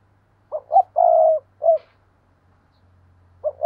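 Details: Trained spotted dove calling as a decoy to draw in new wild doves. Two quick notes and a long, low, drawn-out coo, then a single short coo, with the phrase starting again at the end.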